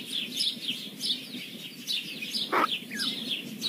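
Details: Very young kingfisher chicks being fed: repeated high, slightly hoarse chirps in quick succession, a loud knock and a short descending squeak near the end, with soft background hiss.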